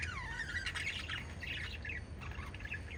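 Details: Lovebirds from a group of five open with a clear, drawn-out falling whistle, followed by overlapping shrill chirps and squawks in a steady chatter.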